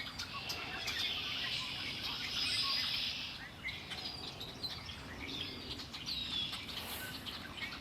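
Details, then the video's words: Several birds singing beside Lake Erie, a thick layer of high chirps strongest in the first few seconds, then scattered thinner notes over constant low rumble. "Birds singing by Lake Erie"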